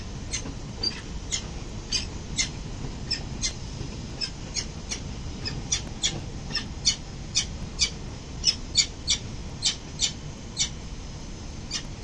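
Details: Peregrine falcon pair arriving at their building nest early morning, 22 November 2024, recorded by a nest camera: a steady run of short, sharp chipping calls, roughly two per second, over constant low city rumble.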